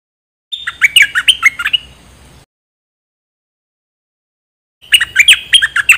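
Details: Bulbul used as a decoy, among three: fast, jumbled warbling phrase of sharp, slurred chirps, then silence and a second similar phrase, over a soft low hum.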